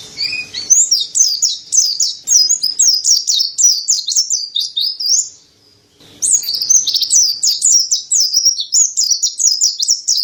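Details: Mountain white-eye, or pleci dada putih, in continuous song for cage-bird training: long, dense strings of rapid high chattering and warbling notes, broken once by a brief silent gap before the singing resumes.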